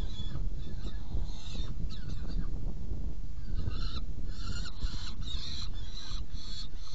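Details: Saker falcon at its nest box during a feeding on 17 June 2018 at 10:31: scattered harsh notes at first, building into a quick series of rasping calls in the second half, over loud low rumble.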